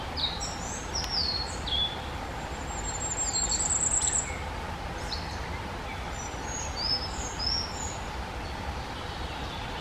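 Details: Common firecrest (Regulus ignicapilla) song: a very high, thin, rapid trill of even notes, with other birds adding short falling whistles over a steady rushing background.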